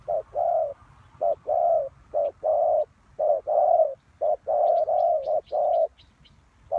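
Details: Lure spotted dove for trapping, cooing in low short-and-long phrases with pauses, while faint thin high chirps of another bird sound in the second half.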